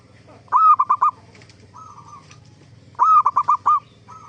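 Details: Zebra dove song intended to make other zebra doves respond: two loud phrases about two and a half seconds apart, each a quick series of four or five bubbling coos, softer cooing between, steady hum below.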